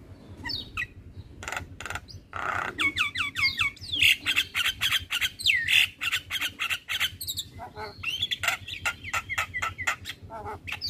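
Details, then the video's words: Male Javan myna, described as a very vocal 'gacor' singer bobbing its head, kept for training other birds: fast series of repeated upslurred whistles mixed with raspy chatter and sharp clicks, dense and continuous. "Masteran Jalak Kebo terpopuler - Jalak Kebo Jantan Super Gacor Manggut2"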